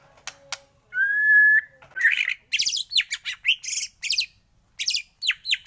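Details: White-rumped shama (murai batu) morning song: a sharp clicky opening, a long level whistle, then a rapid run of varied chirps, slurred whistles and buzzy notes in quick bursts.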